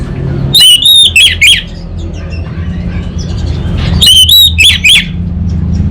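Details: Orange-headed thrush giving 'kabel konslet' song: two tight bursts of rasping, ringing notes about three seconds apart, each burst of four to five quick harmonic notes over a steady low hum.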